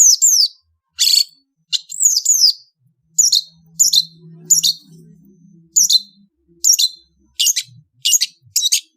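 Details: Indonesian long-tailed bird singing on a beautiful afternoon: repeated sharp, high, downslurred whistled notes in short groups, with a faint low murmur in the background.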